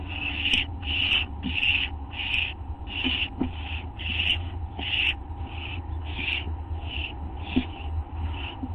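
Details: Hungry barn owl owlets calling while being fed at the nest, early morning, 15 August 2011; around fourteen rasping, breathy hisses in quick, uneven succession, with faint clicks and a low background hum.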